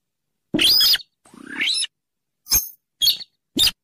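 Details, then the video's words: Marsh and paddy rail recorded as bird-trapping lure audio: loud raspy squeals and a longer rising grating note, followed by three short harsh bursts about half a second apart. "suara pikat burung sintaran sawah / weris /mandar dengkur ampuh"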